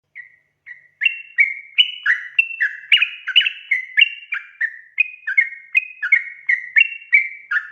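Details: Sooty-headed bulbul in lively gacor singing, used as a lure to prompt untrained birds to sing; two soft opening notes, then a dense run of short liquid whistled notes, alternately rising and falling, about three per second, overlapping as if several birds.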